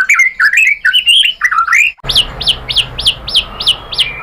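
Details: White-rumped shama song used as a lure to provoke other birds into singing. Rapid varied whistled notes are followed, after an abrupt cut, by a series of evenly repeated, sharply rising-then-falling whistles over background hiss.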